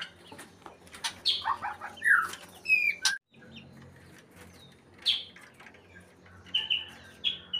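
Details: White-rumped shama in breeding condition producing slurred whistles and a brief series of high stacked notes, then a short silence and sparser high chirps and whistles over low hum.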